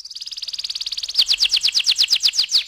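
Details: Canary's ngeroll rolling song: a very fast buzzy trill of tiny repeated notes, switching abruptly to a slower series of loud downward-sweeping whistled notes, about six per second.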